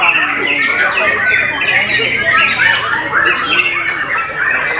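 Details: White-rumped shama song of rapid, high, downward-sweeping chips repeated in quick succession, several per second, over a bed of lower warbled whistles and chatter.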